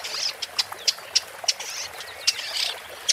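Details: Woodchat shrike (Lanius senator) singing sharp, high clicking chips roughly every third of a second, interspersed with softer scratchy warbles and a short buzzy phrase.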